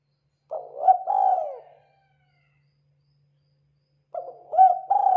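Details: Local Indonesian spotted dove song used as a lure for other doves: two bouts of low, throaty cooing, each a short stuttered coo rising into a longer rolling, drawn-out coo, separated by about two seconds of silence.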